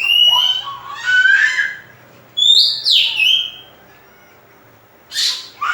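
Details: Varied Oriental magpie-robin phrases used as a lure to stimulate other birds: warbled descending notes, then loud upslurred and downslurred whistles, a pause, and a final sharp burst.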